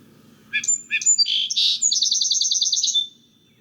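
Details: Song sparrow song, rendered in words as 'maids, maids, put on your tea kettle': two crisp separate opening notes, a short buzzy burst, then a rapid run of repeated chips trailing into a thin closing note, heard clearly alone.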